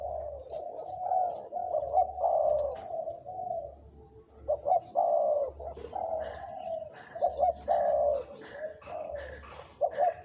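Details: Spotted dove decoy bird, two to three years old, showing big, middle and small voices. Bursts of rich coos alternate with short clipped notes, with a few faint clicks behind.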